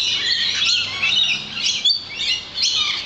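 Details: Flock of lorikeets by a balcony: shrill, piercing screeches and rising squeaky chirps tumble over one another without a break, with a few clearer whistled notes standing out.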